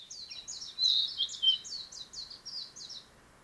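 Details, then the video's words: A narcissus flycatcher, a forest songster, sings a rapid run of high, sharply down-slurred chirping notes, about three each second, over a faint background hiss. "森の歌い手 キビタキの鳴き声"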